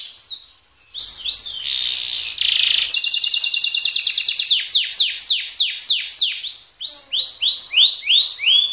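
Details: Canary delivering a rolling, shooting song: a short gap, then a buzzy blast, a very fast trill of clipped notes, followed by slower series of upward-swept whistled syllables repeated about twice per second.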